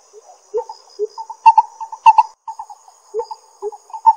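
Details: Lesser coucal in Pingtung County, Taiwan, 22 May 2016: short hollow notes at middle pitch, often paired and repeated in an uneven series, with occasional lower notes between them and a faint steady high tone behind.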